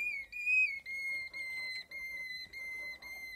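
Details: Waterslager canary (Malinois) producing long, pure whistled tones, held and slightly wavering, broken by short pauses.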